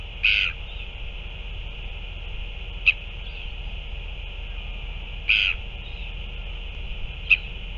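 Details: Northern royal albatross during a feeding, recorded 9 February 2024. Two rough croaking calls about five seconds apart alternate with short sharp clicks, over continuous high hiss.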